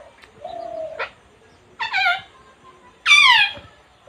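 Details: Female pet talking parrot from India with a cute voice: a steady whistled tone, then two short nasal harmonic calls, the last loudest and falling in pitch, with pauses between.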